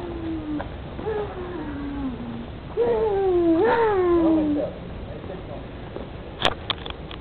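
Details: Indian peafowl in a wooded park in Ribeirão Preto, Brazil: two long, drawn-out nasal wails, each sliding downward, followed by a few sharp clicks and knocks against a background murmur.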